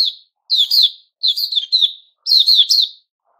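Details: Freshly feathered white-crowned shama, known locally as Puteh Raja, in September 2021: three short, tumbling phrases of sweet, slurred whistles, each ending with falling notes, separated by brief silences.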